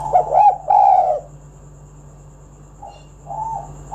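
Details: Spotted dove used to lure other doves into song: one loud double coo opens, then silence and a few faint, softer coos near the end. A steady background hum runs throughout.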